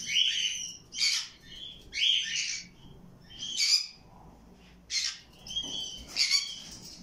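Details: Conure calls, played to encourage mating: harsh, raspy squawks in short bursts about once a second, several overlapping, with pauses between, in a quiet room.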